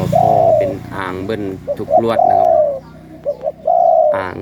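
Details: Spotted dove of the 'khu ang' song line, caged, giving long low coos with short lead-in notes in the second half. A man speaks loudly over the start of the recording.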